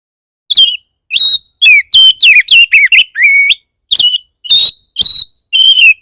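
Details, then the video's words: Provoking 'kacer bar bar' lure of an Oriental magpie-robin, aimed at rousing other magpie-robins: continuous loud whistled phrases, fast slurred sweeps and a drawn-out upswept note, then spaced sharp whistles. "Pancingan burung kacer bar bar naik pitam kacer lain"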